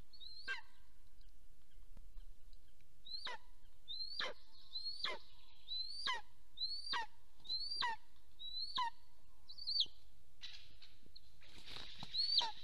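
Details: Wild golden eagle at its nest in Soomaa National Park, southwestern Estonia, on the morning of 1 April 2024, as one of the pair returns home: about ten sharp, high yelps with falling tails, roughly one each second, then rustling.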